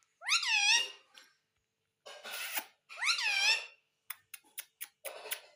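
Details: Pet ringneck parrot indoors utters two loud rising-falling harmonic word-like phrases separated by a noisy rasp, followed by quick clicks and scratchy sounds.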